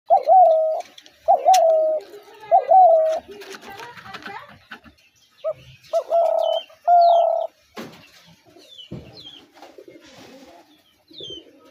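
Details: A spotted dove gives soft, hollow, mid-pitched coos in short bursts about a second apart. Thin high chirps from small birds and faint background noise come in between.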